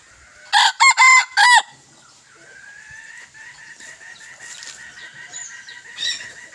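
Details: A young red junglefowl decoy cock, recorded 21 May 2023 and praised for its fine voice, gives a short, loud crow of four harsh, rapid syllables at the start, followed by quieter background birdsong and insect hum.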